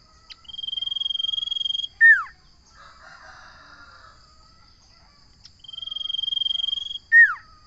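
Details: Sirtu, or common iora, giving two matching phrases several seconds apart, each a long level high trill ending in a strong downward-sweeping whistle, with a soft murmur between them.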